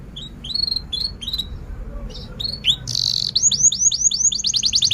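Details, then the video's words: Canary singing a long, lively lure song used to stimulate other canaries, teach young birds to sing, and restart silent singers. Rising chirped notes lead into a buzzy burst, then a fast, repeated upswept trill. "kenari gacor panjang Cuit Cuit EMOSI, Pancingan Kenari Paud Belajar Bunyi"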